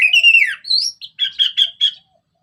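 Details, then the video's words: Orange-headed thrush singing in the ngeplong style, used as a lure for other birds: a bright slurred whistle that falls away, a rising note, then four quick clipped chirping notes at a steady pace. "Kicauan Anis Merah Bikin Emosi Dan Gacor"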